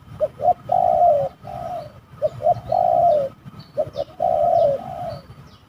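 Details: Repeated phrases from a spotted dove during a fight while birds are trapped: short paired coos followed by a drawn-out purring croo, about three phrases, with sparse high chirps from another bird behind.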